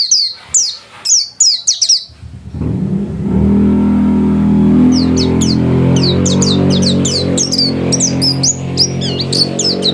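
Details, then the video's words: White-eye kept at home, singing busily: quick high down-slurred chirps open the stretch, then a loud passing vehicle roars underneath while the bird keeps chirping rapidly above it. "Burung pleci gacor kelas rumahan"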